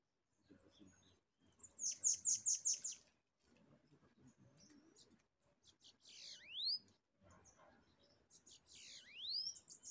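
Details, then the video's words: A pair of bananaquits coming to fight a caged bird during a trapping session: a rapid run of five or six high buzzy notes, then two hissing phrases each ending in an upward sweep. "VEIO O CASAL DE SIBITE PRA BRIGAR"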